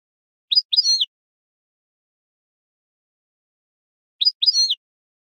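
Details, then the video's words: European goldfinch, in a field-style song recording for training young goldfinches, gives two brief bursts of high, tinkling, twittering notes about four seconds apart, with silence between them. "CD CAMPERO PARA EDUCAR JILGUEROS"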